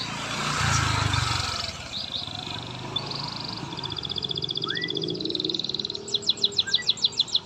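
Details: Canary song played to coax a reluctant canary into singing: rapid buzzy high trills in several bursts, a short rising whistle, then a run of sharp repeated chips, with low rumbling background noise early on.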